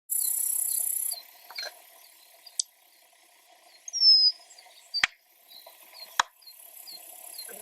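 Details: Unidentified bird in North Dakota giving short high chirps repeated at irregular intervals, one brighter whistled slurred note midway, with sharp clicks and a loud high hiss at the start.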